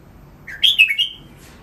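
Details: Short phrase of cage red-whiskered bulbul training song: a low rising slur leads into three emphatic, liquid whistled notes with a trailing tail, no other sounds.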